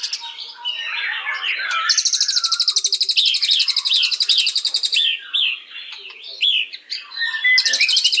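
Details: White-rumped shama singing: varied low whistled phrases open, then a long, fast, high rattling trill from about two to five seconds, followed by downslurred whistles before the trill starts again at the end.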